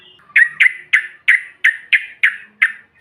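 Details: Yellow-vented bulbul lure call meant to provoke other birds: eight short, slightly harsh downslurred notes repeated steadily about every third of a second, nothing else audible.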